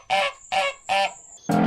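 A wild duck gives four harsh, nasal quacks, one roughly every 0.4 seconds, over a faint steady high-pitched whine.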